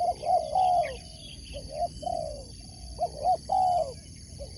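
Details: Spotted dove, a competition sport dove, repeats its coo phrase twice: quick rising notes leading into a longer falling coo, with faint higher chirps of other birds.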